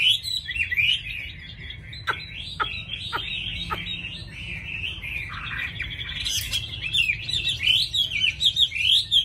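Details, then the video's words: Caged Chinese hwamei in full song: a long, continuous stream of varied whistled notes, looping and warbling up and down, broken by a few sharp clicks, louder toward the end. "Mi thuần hót tốt mau mỏ đẹp"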